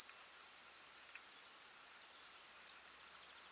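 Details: Young birds calling while fed, with clusters of two to four shrill, high chirps and a few softer single notes between, in an uneven stop-start rhythm.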